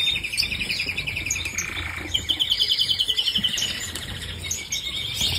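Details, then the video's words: Canary singing a run of fast, evenly pulsed high trills, rolling into a brighter, higher trill partway through the phrase before breaking into scattered twittering notes, over a low steady hum. "kanarienvogel gesang"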